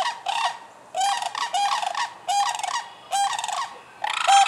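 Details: Sandhill cranes in Michigan, March to June, calling in rolling, guttural bursts about half a second long, each separated by brief pauses, some ending in a clear upward note.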